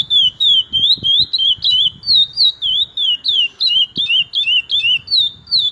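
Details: A chestnut-bellied seed finch, the owner's favourite curió, sings loud pure whistled notes in a rapid, slightly uneven series, roughly three each second, some notes doubled, against light low-pitched background thumps.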